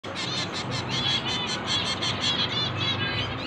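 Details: Finch chicks being hand-fed, begging with rapid, evenly spaced high chirps that pulse several times a second without pause, over a low steady background hum.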